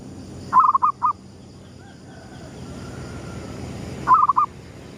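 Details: At sunrise a zebra dove lure bird, gedong mengo type, gives two phrases about three and a half seconds apart, each a gurgling run of mellow coos followed by separate hooting notes; quiet background hum.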